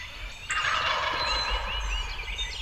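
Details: Wild turkey gobble in Illinois spring turkey season, 25 April 2020, from a trio of young gobblers, bursting out at half a second as a loud rapid rattling roll of about two seconds over low wind rumble.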